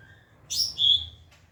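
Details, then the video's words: White-rumped shama training song: a brief high, buzzy burst followed by a clear descending whistle, then a soft rustle, in a quiet setting. "Masteran murai batu"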